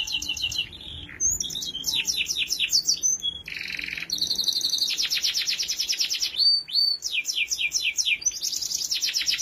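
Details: Canary singing as a tutor for young canaries still growing: continuous varied song of rapid trills, buzzy rolls and repeated high chirping phrases, changing every second or two.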